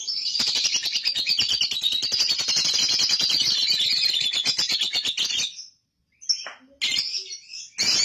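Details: Young lovebird, played as a lure to provoke long ngekek chattering: a rapid, dense run of high buzzy chirps lasting about five seconds, then a pause and a few scattered sharp chips.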